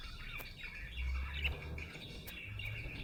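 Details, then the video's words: Happy budgerigar giving steady, scratchy warbling chatter with occasional sharp clicks, over a low rumbling background. "Happy budgie chirping sound"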